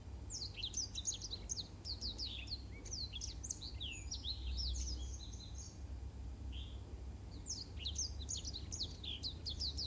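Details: Black-throated canary song used to tutor canaries: long bursts of rapid high whistles and downslurred notes, a brief pause, then another lively burst, over low steady hum.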